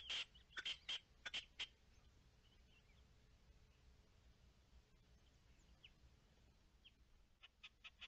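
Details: Partridge recorded 10 March 2021: a quick cluster of about six harsh, clipped notes in the first two seconds, then a long quiet stretch before a few fainter notes near the end, over a low background hiss.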